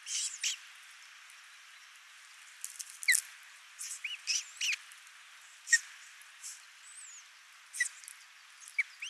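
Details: Ospreys feeding their only chick at a Finnish nest, 22 June 2024: scattered thin, sharp whistled chirps and upslurred notes, irregularly spaced over steady hiss.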